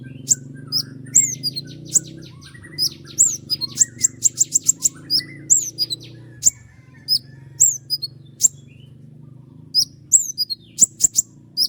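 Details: Common iora (konin) in full song, sharp long rapid bursts recorded as tutor song for other songbirds: high thin chirps and slurred whistles, clustered into quick runs mid-clip, over a faint low hum.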